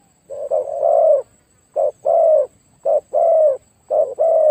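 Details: Decoy spotted dove with a very big, deep voice calling to lure wild birds: clear, low, mellow coos in phrases of a short clipped note followed by a longer sliding hoot, separated by brief silent gaps.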